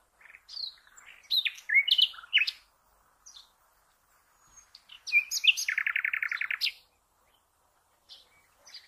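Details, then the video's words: Singing common nightingale giving sharp, varied high chirps and slurred notes in short bursts, followed by a long, even rattle of rapidly repeated notes lasting over a second, then quiet with faint chirps. "The Best NIGHTINGALE Song"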